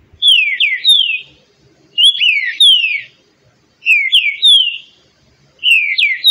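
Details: Repeated song of a green-winged saltator: short bursts of two or three loud, clear whistles that drop and slur downward. Each burst comes about every two seconds, with silence between.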